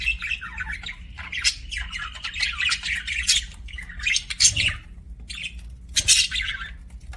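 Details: Budgies chirping, likely kept as pets or in an aviary: near-continuous harsh, squawky warbling, with scratchy chatter and rising and falling tones, broken by short pauses and louder bursts around the fifth and sixth seconds, over faint low hum.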